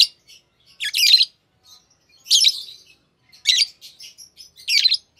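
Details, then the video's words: Pair of green Fischer's lovebirds, the common green colour, a lovebird type known for long-duration songs and favoured in Indonesian bird song competitions; short harsh high chirps in bursts roughly every 1.2 seconds, with faint ticks between, quiet background. "Lovebird Singing & Chirping Sounds - Green Fischer Pair"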